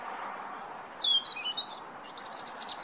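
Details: European robin chirping: very high, thin, rapid notes that slide down, then jump into a dense run of sharp trills, over steady low background noise.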